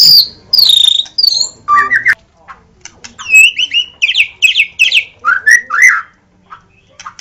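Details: White-rumped shama song opening with high clear whistles, then a series of quick rising chirps and looping notes, ending in scattered soft clicks.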